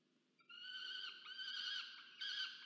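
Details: Peregrine falcon chick demanding food from its parent at a nest camera, Charles Sturt University, Orange, New South Wales, Australia, 13 November 2022; one drawn-out, harsh, wailing scream with layered overtones, wavering slightly in pitch.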